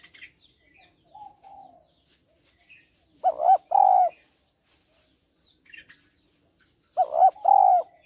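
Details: A female spotted dove calls to stir males, giving two loud paired coos about four seconds apart. Each is a brief quavering note and a drawn-out mellow one. Faint chirps sound in between.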